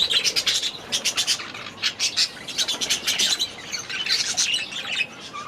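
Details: Young budgerigars, hatched last year, newly released into an outdoor aviary at the start of the season, chattering as a group: dense bursts of scratchy, high chirps and warbles rising and falling in pulses every half second or so.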